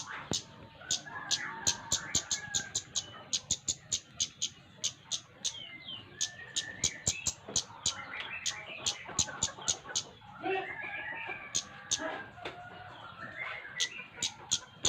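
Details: Flowerpecker singing vigorously, offered as a lure to get other birds singing: rapid, very high, sharp ticking notes repeated in quick bursts throughout, with lower warbled phrases between and faint chatter of other birds behind.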